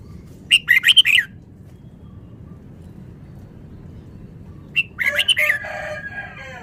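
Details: Red-whiskered bulbul of Vietnamese origin singing fast, rapid phrases: a quick burst of bright chirpy notes, a pause, then another fluttering phrase, with a lower harmonic, nasal-sounding call overlapping at the end.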